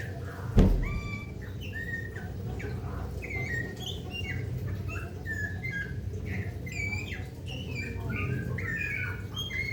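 Golden myna giving a stream of short, clear whistles and chirps at varied pitches, with a sharp knock early on and a steady low rumble behind.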